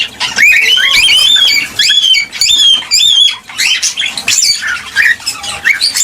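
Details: Cockatiel song aimed at stimulating mating and breeding, with repeated looping whistles sliding up and down and scratchy chatter between them, roughly one and a half phrases per second.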